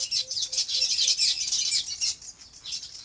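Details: Chirping birds on a farm: loud, continuous high twittering chorus, with four short soft low notes in quick succession early on, then the chatter thins slightly.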